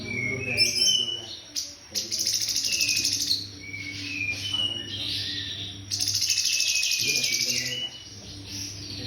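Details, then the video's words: Cungkok-style tutoring song of a white-rumped shama: a rapid mix of short whistled slurs, rising and falling notes and loud rasping bursts, varied and continuous, with a constant low electrical hum beneath. "Cungkok ‼️ Masteran murai Batu"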